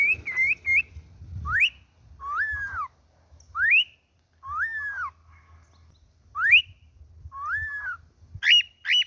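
A cockatiel sings a sequence of clear whistles, alternating quick rising sweeps with arched, falling notes.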